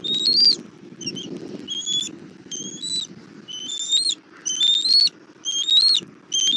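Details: Bald eagle calls at a Southwest Florida nest on camera, 17:30, 1 April 2024, while the mother delivers dinner to her chick: piercing high whistles, slightly rising, roughly one a second, with soft rustle beneath.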